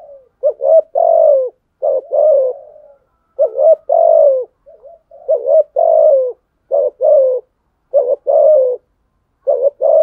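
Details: Spotted dove in a fighting coo meant to challenge and provoke wild rivals. Low throaty coo phrases repeat steadily across the recording, each a short note followed by a longer falling one, in a quiet setting.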